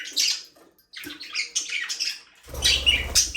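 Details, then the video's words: Budgerigars playing in a small aviary chatter in raspy, warbling chirps and squawks, a dense burst near the start, then continuous scratchy twittering with a low hum at the end. "Budgies parrot #chirping sound"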